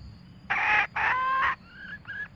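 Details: Red junglefowl, male with female, calling together to gather the flock for trapping: two strong, grating harmonic calls in close succession, then two softer, slightly rising tonal notes above a steady low hum.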